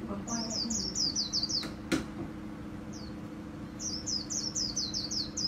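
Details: White-eye singing in the 'líu' song style, from a 2019 compilation of top birds kept by Vietnamese songbird enthusiasts: two rapid bursts of about six high, sharply down-slurred whistled notes, separated by a pause with a single note and two clicks, over a steady low hum.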